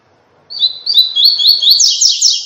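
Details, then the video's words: Brief silence, then a rusty-collared seedeater's "tui tui" training song, a string of rapid repeated high swept notes ending in a denser, buzzy flourish. "CANTO TUI TUI EXCELENTE PARA TREINAMENTO DE COLEIRO PARDO"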